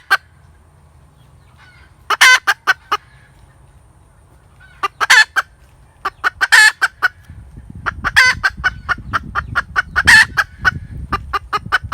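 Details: Cackling hen: sharp clucks build into longer strained squawks, growing busier toward the end over a low rumbling background.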